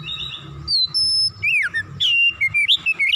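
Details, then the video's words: Agitated oriental magpie-robin (kacer) in heated, emotional full-repertoire singing: high steady whistles, a sweeping downslurred note, then a rapid run of varied warbled and slurred phrases. "KACER GACOR MEMANAS NAIK EMOSI BONGKAR ISIAN"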